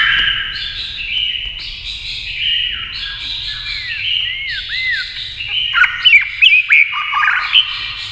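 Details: White-rumped shama in a singing match with a television: smeared sustained tones dominate early, then crisp looping whistles, sharp upslurred notes and rapid chips build toward the end.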